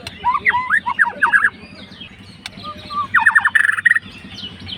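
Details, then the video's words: Song of a fighter white-rumped shama meant to provoke a rival: a quick jumble of twisting whistled notes, a quieter gap, then a rapid rattling run of short notes, over a low hum. "MURAI MACET MALAS BUNYI LANGSUNG RESPON"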